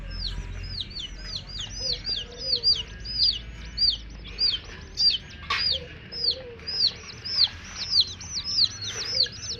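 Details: Baby chicks with a hen chirp loudly and steadily, dense high falling peeps arriving in pulsing bursts about once a second, with faint lower murmurs underneath.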